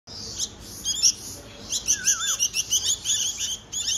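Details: Baby bulbuls being hand-fed give shrill, high chirps, short and repeated roughly once a second, rising into a quick run of bright peeps near the end, with a brief lower whistle in the middle.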